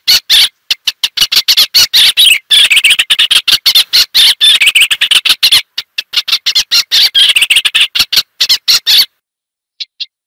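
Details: Eastern olivaceous warbler pouring out a long, scratchy, chattering warble of quick notes for about nine seconds, then falling silent apart from a couple of faint ticks.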